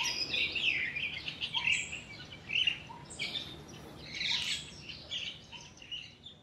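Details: Crested myna mimicking other birds, chiefly juvenile yellow-vented bulbuls, one of two present: scattered scratchy chirps and squeaky notes with brief soft low tones between them, then a louder harsh burst midway.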